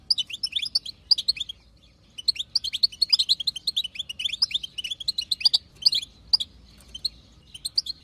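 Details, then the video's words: Female European goldfinch chatter (batbata), wild type, used to make males sing: dense bursts of bright, tinkling twitters and short rising notes, with a brief pause near two seconds before the twittering resumes in rapid runs. "بتبتة حسون خلوي تهبل الحسون تخلي يغرد غصب عنو"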